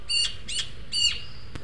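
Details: Juvenile Eurasian magpies at a feeder in El Retiro, Madrid, two begging food from a more developed third; three strident, nasal rasping squawks about half a second apart, then a sharp click.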